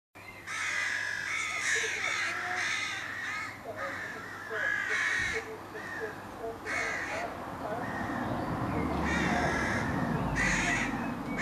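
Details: Crows recorded in May 2022, several birds cawing over one another in a dense, overlapping chorus of harsh, raspy calls, with a low steady hum in the background.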